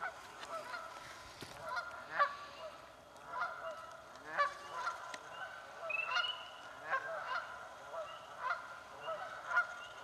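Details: Canada geese in a swamp battling over nesting spots, a long run of honks repeating about every second, loud and insistent, several birds calling at once.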